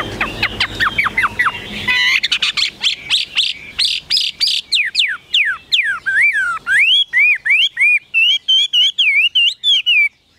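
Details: Caged Chinese hwamei pouring out a long, varied song: rapid falling whistled notes, then a fast stream of sharp chirps, ending in looping, rising-and-falling whistles repeated steadily.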